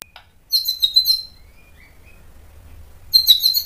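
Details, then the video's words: White-rumped shama song meant to provoke another bird to answer: two short bursts of very high, chattering whistles separated by a pause with a few faint, thin, drawn-out notes. "MASTERAN MURAI BATU memancing EMOSI jadi NYAUT BUNYI"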